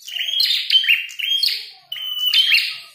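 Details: Fighting red-headed prenjak in full song: two loud phrases, each a long steady high whistle that breaks into harsh buzzy twitters, separated by a short pause.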